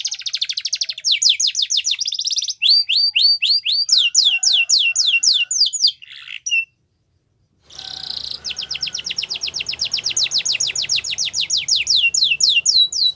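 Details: Song of a Yorkshire canary for training young canaries: fast trills and clipped repeated notes, a short break in the middle, then a long even trill of quick downslurred whistles over faint background hum.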